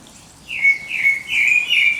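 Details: Bird at dawn giving a quick series of three or four bright whistled notes, each sliding slightly down, following half a second of near silence.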